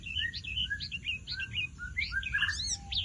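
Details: Javan bush lark in vigorous gacor song, a busy stream of varied chirps and short twisting whistles, some rising and some falling, ending in a burst of sharper high notes.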